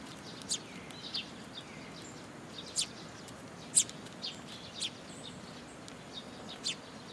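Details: Eurasian tree sparrows gathering at a feeder on a post at a Tenmangu shrine in late June 2022; scattered high, thin chirps at irregular intervals, one notably loud, over steady low ambient noise.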